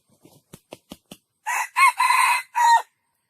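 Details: Several soft clicking clucks precede a junglefowl's crow, which runs as four harsh bursts with a rising second note and a falling last one.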